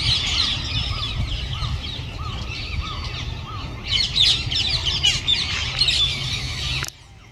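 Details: A feral flock of rose-ringed parakeets, descended from escaped pets and estimated at 1,000 birds, enters its winter roost in a Japanese city. A dense chorus of harsh, shrill screeches with short repeated notes runs over a traffic-like rumble.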